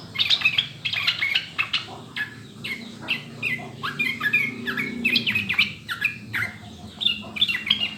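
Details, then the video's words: Yellow-vented bulbul (trucukan), recorded clearly as a prompt to get birds singing quickly: an animated stream of bubbly warbles and chirps in short bursts, with a faint low murmur underneath. "SUARA JERNIH PANCINGAN MASTERAN TRUCUKAN UNTUK BURUNG AGAR CEPAT BUNYI DAN GACOR"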